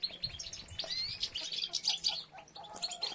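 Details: Several European goldfinches chirp and twitter densely during nest-building, females collecting material and three nests underway; high, rapid tinkling notes run almost continuously, with brief rising whistles among them.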